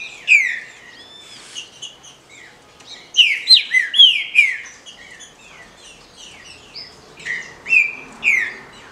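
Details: Female green-winged saltator, a legally kept captive bird, giving chiados meant to stimulate males: sharp descending chirps and squeaky notes in loose bursts, a cluster near the start, a dense run around three to four seconds and more near the end, with quiet gaps.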